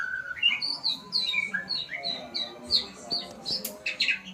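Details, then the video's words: White-rumped shama practising its song: a series of bright, falling whistles, then choppy high chirps and clicks toward the end, backed by a soft low droning tone. "Murai pastol belajar Bunyi"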